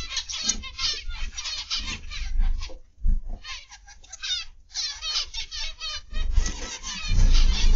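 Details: Aviary zebra finches on 29 November 2021, afternoon, produce bursts of quick, nasal, trumpet-like calls in overlapping clusters, separated by short quieter gaps and some low background rumble.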